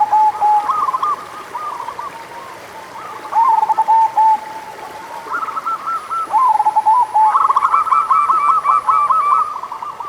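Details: Local zebra dove song played as a lure to spur doves slow to sing: rapid bursts of soft, rolling coo notes in overlapping phrases, with a steady high faint tone and a quiet background hiss.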